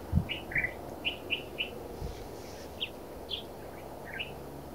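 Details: Black redstart calling in the Narsapur forests: brief, sharp chipping notes, several in quick succession, then scattered single chips, against constant low background noise.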